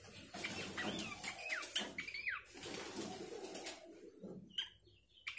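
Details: Lure recording of Abbott's babbler, played to provoke the bird into singing: a run of short whistled downslurs and rising notes in the first two seconds, then scattered clicks and brief chirps.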